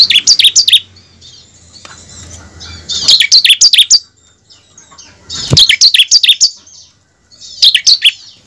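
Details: Captive bar-winged prinia song used as a lure to prompt other birds into full song: rapid, bright, high-pitched chattering trills in bursts of several notes, separated by short quiet gaps with a faint low hum.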